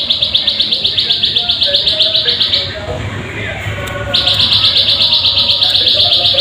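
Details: Plain prinia call used as a lure to get birds singing; quick buzzy high notes repeat about four times a second, fade out briefly mid-way, then return loud and steady.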